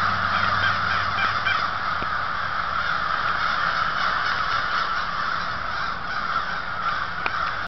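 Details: Many crows cawing at once on a foggy morning, hoarse calls piling into a continuous clamor, slightly louder at the start and easing toward the end, with a faint low hum beneath.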